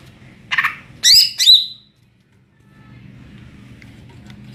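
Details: Short ngeplong-style burst from a greater green leafbird: a harsh rasping note followed by two loud, bright falling whistles, then quiet background hum.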